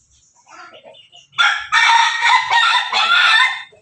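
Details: Pelung, Bangkok and ketawa cross rooster in a backyard crowing loudly, starting after soft murmurs and running over two seconds in stuttering, repeated segments.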